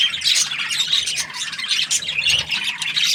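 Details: Happy budgerigar chirping: a dense, continuous stream of scratchy high chatter and squawky notes with no pauses.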